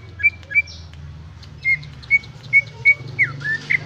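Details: Greater green leafbird giving a sparse song of clear short whistled notes spaced roughly every third of a second, closing with slurred bent notes; low hum in the background.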